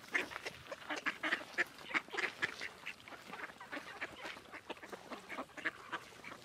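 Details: Mallards at George Reiffle Park in 2014 quack in a busy, overlapping chorus, with harsh nasal calls in an irregular stream of several per second from more than one bird.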